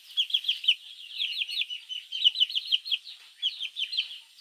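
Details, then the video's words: Morning chirping of baby chickens calling for the hen, used to lure mongooses: bright, piercing peeps clustered in rapid bursts, each note dipping in pitch, with brief gaps between clusters. "Baby chicks chirping sounds | Suara Anak Ayam memanggil Induk"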